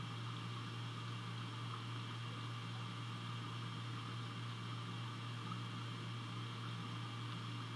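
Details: Only a steady mechanical drone and soft hiss, like a fan or air conditioner, with no calls at all.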